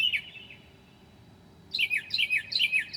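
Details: Northern mockingbird singing at 2 a.m. on 9 July 2008, imitating other birds: a slurred, descending whistled phrase, a pause, then a series of quick repeated buzzy, falling notes over steady background noise.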